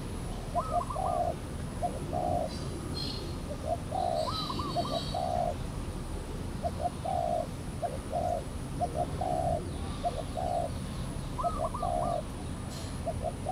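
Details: Wild spotted dove coming near a decoy during trapping at Valdor, Seberang Perai, 17 November 2013; steady repeated low coo phrases, short notes then a longer coo, with occasional higher rising note series.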